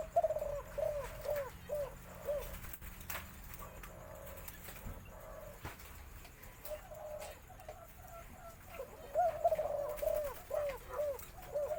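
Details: Spotted Dove of the white colour variety giving its full four-note 'khan yon' crow, a deep, medium-to-large voice; repeated hollow coos come in phrases separated by short pauses, with faint clicks and background hiss.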